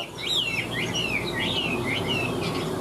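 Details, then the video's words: Caged Chinese hwamei, a big bird in full high song: loud, rich whistled phrases that loop up and down in wavy slurs, delivered almost without pause over a steady background hiss. "Họa mi bóng bộ to đẹp hót cao"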